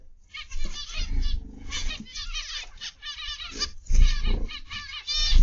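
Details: Zebra finches in an aviary, recorded on the afternoon of 29 November 2021: overlapping nasal, buzzy calls from several birds in quick irregular bursts, over a steady low rumble of background noise.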